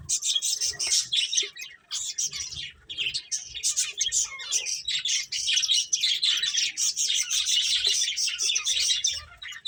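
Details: Several finches at play keep up a busy chatter of sharp, high tweets and twitters in quick irregular bursts, nearly unbroken, with a few faint low thumps underneath.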